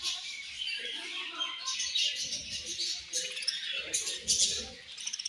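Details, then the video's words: Australian budgerigar parrots keep up a constant bright chatter of thin, squeaky chirps and warbles. Some faint lower murmurs and a few sharp clicks sound near the end. "Australian Budgie Parrots Chirping Sounds"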